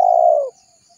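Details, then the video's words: A single spotted dove coo, from a lure recording meant to call wild doves: one drawn-out, low, mellow note that slowly falls in pitch and ends abruptly after about half a second, with silence after. "Suara Burung Tekukur Gacor Paling Ampuh Untuk Pikat Dan Pancingan"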